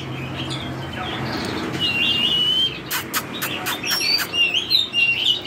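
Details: Drop-shaped Oriental magpie-robin in forest-voice song: a long, level whistle, then a burst of clicks, followed by repeated short bright whistled phrases rising and dipping, with low hum underneath.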